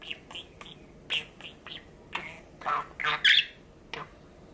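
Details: Six-and-a-half-year-old pet male budgerigar on Labor Thanksgiving Day, 23 November 2021, giving scattered short chirps that build into louder, harsh, squawky chattering bursts toward the end, then one final chirp.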